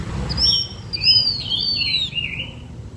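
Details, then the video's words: Blue-winged minla singing to lure other birds: a run of clear whistled phrases, some falling and slurred, stepping downward over about two seconds, with low rumbling background noise. "Chim khướu lùn cánh xanh hót mồi cực đỉnh/Khướu lục cánh xanh hót căng lửa kích mồi siêu chuẩn"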